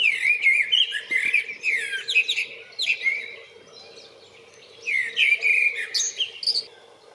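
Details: Male-style courtship singing by a common blackbird on 28 February: two loud, melodious warbled phrases roughly five seconds apart, each full of swooping fluty notes and scratchy high twitters, with a faint constant hum beneath.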